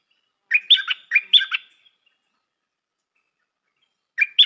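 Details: A newly trained decoy stripe-throated bulbul sings its well-phrased song: a burst of about six bubbling, chattering notes, a pause of two seconds, then the phrase begins again, against total quiet.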